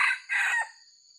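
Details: Part of a crow from a wild white-legged red junglefowl used for luring: a harsh burst, a short gap, then a longer rough phrase that falls away. A thin high-pitched electronic tone lingers behind it.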